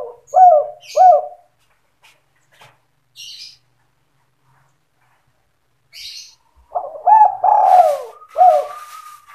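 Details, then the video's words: Spotted dove used as a trapping lure, giving short hooked coos around 700 to 1000, a pair at the start then a longer rolling phrase and a final coo after a pause, with faint high chirps between. "SUARA PIKAT BURUNG TEKUKUR DERKUKU GACOR SANDUNG KUK 2"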